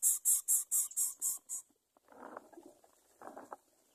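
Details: A greater coucal chick's begging call while being fed: seven quick, harsh hissing rasps, about four a second, followed by two softer rustling bursts.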